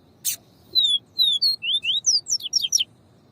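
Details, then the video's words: Yellow-bellied seedeater song alongside female calls, meant to excite a male bird: a sharp click, then a rapid run of high, clear, falling whistled notes, about eleven in three seconds, growing denser toward the end. "PAPA CAPIM VIVITI E PIADO DE FEMEA. MUITA FIBRA ESFOGUIE O SEU."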